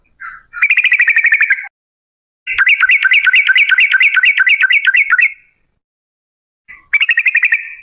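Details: Sooty-headed bulbul in the long 'ropel' singing style, played as a lure to get birds singing: three clean, rapid trills of rhythmic, bouncing notes, the middle one running nearly three seconds, with silent pauses between.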